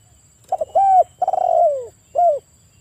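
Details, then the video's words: Spotted dove coos played in the evening as a lure to get stressed doves that have stopped singing to sing again: two quick notes, a long hooting coo, a stuttering rolled coo sliding downward, then a final coo over a faint hum. "Terapi burung TEKUKUR stres drop mental macet bunyi jadi gacor ngayer kembali"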